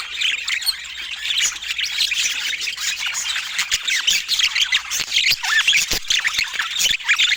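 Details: Lively budgerigar chatter with no music: a steady wash of warbled chirps and squeaks, with a clear descending whistle and a few louder squawks in the second half.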